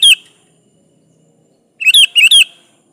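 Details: Sooty-headed bulbul in lively kutilang gacor singing meant to call in a rival: a loud chirped note, a pause, then two quick bubbly phrases of clear, rising and falling notes.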